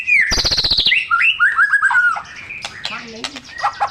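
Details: White-rumped shama in full, rich song, used to provoke silent shamas into singing. A fast buzzy rattle is followed by high descending trills, then looping whistled slurs and scattered sharp chips with varied phrasing.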